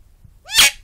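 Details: Talking pet bird lets out a single short, loud screech, opening with brief upward tonal sweeps and collapsing into a broad, noisy rasp; otherwise a near-silent indoor background.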